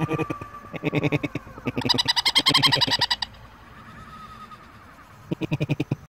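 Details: Painted conure kept as a pet doing its laugh, rapid pulsed cackles repeated about three to four times a second, building into a loud dense burst, then a quiet gap and a final short run of chuckles.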